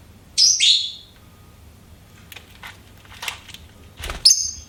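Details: Pet lovebird chirping: two loud, shrill, harsh chirps close together, then quieter scattered chirps and one more sharp squeak at the end, against a quiet room.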